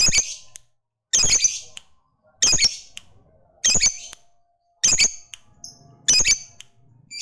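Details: Fighter lovebird calling to provoke rival males into answering with long chatter; six harsh, scratchy high-pitched squawk bursts, fairly regular at about one every 1.2 seconds, with brief thin squeaks between them.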